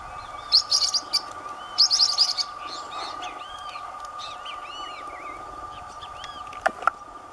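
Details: Wild Blue-winged parrotlet eating in Brazil's Caatinga scrub: two quick bursts of shrill, twittering chirps near the start, then softer scattered whistles and chips over a constant low hum, with a sharp click near the end.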